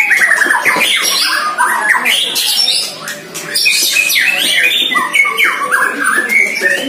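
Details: One-year-old White-rumped shama in its first sparring with a neighbouring shama: busy, jumbled song of quick rising and falling whistles and chips, dipping quiet for a moment near the middle before resuming.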